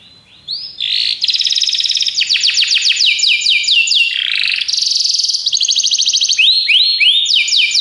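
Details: Belgian canaries singing: a continuous, bright, high stream of rapid trills, each tour of quickly repeated sweeping notes lasting about a second before switching, with a lower rolling phrase midway and fast rising whistles near the end.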